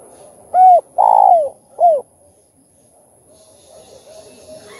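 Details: Spotted dove song for stirring other doves to call: a smooth arched coo, a long rough coo falling at the end, and a short curved coo, followed by quiet with faint background noise.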